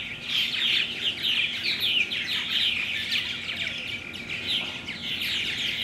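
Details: Several purple martins, recorded 17 June 2009, chattering together in rapid warbled and chirped notes, many overlapping bursts each second, with a constant faint electrical hum beneath.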